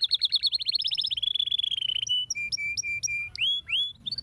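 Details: Canary in song, meant to get silent canaries singing: a quick stuttering trill, a long sustained whistled note, then a string of short flat notes and falling slurs.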